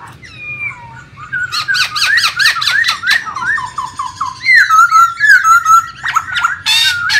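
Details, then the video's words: Masked laughingthrush in the wild giving a varied song of rapid squeaky whistles, descending slurred notes and harsh bursts, loud and jumbled, with a low hum underneath. "KICAU BURUNG POKSAY HONGKONG DI ALAM LIAR"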